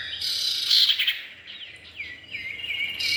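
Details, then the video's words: Male and female common iora in a lure recording: a dense loud burst of high chatter, then a few separate downslurred whistled notes repeated in quick succession. "pikat burung cipow jantan dan betina"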